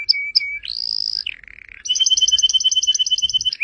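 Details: Canary singing as training material for caged songbirds: two short notes, a sustained high whistle, a low buzzy burst, then a rapid series of bright doubled chirps repeated several times each second.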